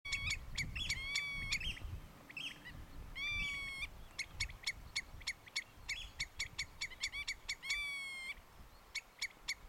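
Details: Common redshank (Tringa totanus) raising the alarm in Groningen province, Netherlands: rapid, insistent runs of sharp, high piping notes broken by a few longer ringing whistles, over a low rumble of wind.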